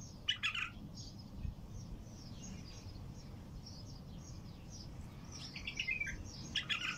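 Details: A bulbul sings outdoors in nature in short, bright chattering phrases at the start and again near the end, with faint high chirps from other birds and a low background rumble.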